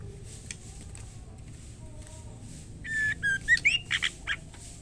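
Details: Female white-rumped shama calling the male, giving a late phrase of whistled notes that climb upward and then several quick chirps, over a faint steady hiss.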